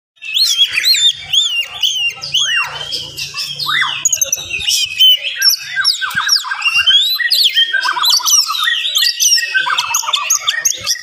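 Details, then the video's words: Oriental magpie-robin in full morning song with fast, dense phrasing meant to excite other magpie-robins: rich whistled, sliding and trilled notes follow each other almost without pause, some phrases sweeping high and others dropping lower. "SUARA KACER GACOR DIPAGI HARI SPEED RAPAT cocok untuk naikin emosi kacer yang dengar"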